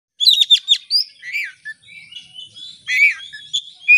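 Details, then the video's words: Oriental magpie-robin singing a varied, energetic song used as a lure: sharp rapid chips and high whistled notes, then lower slurred phrases and a burst of scratchy notes near the end. "Kacer gacor buka ekor pancingan kacer gacor langsung on"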